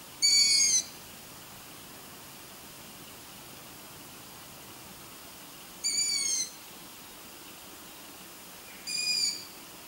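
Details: Growing long-eared owl chicks filmed at night give three thin, high, squeaky begging calls like a kitten's mew or a creaking gate, several seconds apart, over quiet background hiss.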